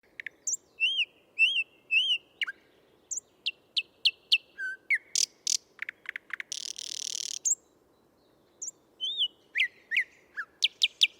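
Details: Male thrush nightingale singing on 12 May 2022 in Tsaritsyno park, Moscow, recorded with a parabolic microphone: varied loud phrases of repeated whistled notes, sharp clicks and a harsh buzzy rattle, with short pauses between motifs.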